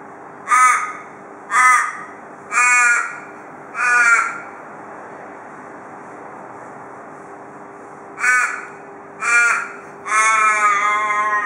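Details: Perth, Australia: an Australian raven repeats short, hoarse, harmonic caws about once a second, pauses, then resumes and ends on a longer drawn-out wail, the "cock a doodle doo" pattern of local ravens. Steady low hum underneath.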